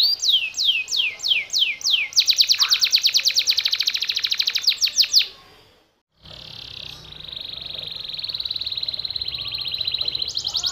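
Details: Yellow canary in konslet song: six loud sweeping downslurred whistles, then a dense rapid trill, a sudden silent gap, and a sustained even buzzy trill that rises in strength near the end.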